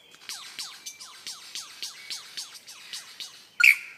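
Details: Lyrebird, described as beatboxing, gives a steady run of sharp, downward-sweeping notes about three per second, each with a click-like accent, ending in a sudden loud, harsh burst.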